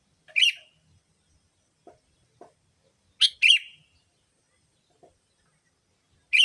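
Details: Sooty-headed bulbul calls meant as a lure for bulbuls: harsh chirped notes repeated every few seconds, some paired into quick doublets, with faint soft clicks between them.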